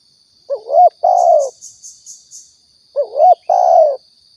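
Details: Spotted dove lure call, Riau, Indonesia, for trapping and hunting: two mellow double coos, a curling upward note and a longer falling croo, with a brief series of faint high rapid chirps between them and a steady thin tone.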